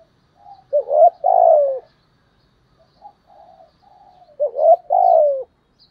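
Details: Spotted dove cooing in the style called giọng thổ: two phrases, each a short hooked coo followed by a longer, drawn-out falling coo, with soft low murmured notes between phrases and a quiet background.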